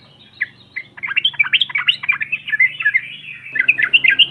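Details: Female yellow-vented bulbul weaving quick twisting whistled notes into a lively warbling stream, sung to provoke rival birds, over a steady low hum.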